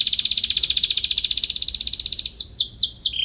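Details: Atlantic canary chirping as if seeking a rival, song for teaching young canaries; a rapid even buzzing trill runs two seconds, then breaks into a few loud downward-swept whistles.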